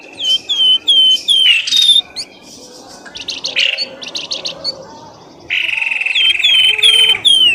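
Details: Lure recording meant to pull birds from thick scrub: clear, high whistled notes sliding down, alternating with long sustained buzzy tones and quick chattering phrases, in a busy mix of calls.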